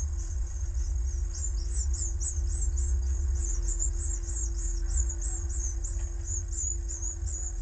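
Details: Common swifts at a nest colony in a school building in Jerez, Spain, recorded by webcam: a continuous chorus of very high, thin, rapidly repeated screams over a steady low hum and a constant mid-pitched tone.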